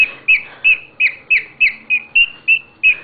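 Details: Pet bird in a happy mood, doing an odd singing routine: a row of about ten short, bright, slurred chirps, evenly repeated three times a second, in a quiet room.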